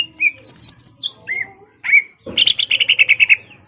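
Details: Greater green leafbird kept in a cage, singing to stir a rival to fight: high squeaky notes and clear whistled slurs, then a fast rattling series of about a dozen sharp repeated notes falling slightly in pitch.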